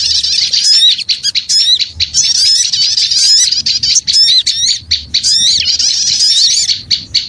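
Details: Lure recording of many small birds in a continuous, agitated chatter: sharp squeaks, upward-sweeping whistles and rapid buzzy trills layered densely throughout.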